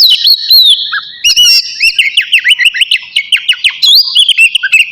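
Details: Oriental magpie-robin, described as the navy type, in full song just before bathing: a rapid, varied run of loud whistled and slurred notes, many sharp rising and falling strokes between two and six kilohertz, with brief pauses.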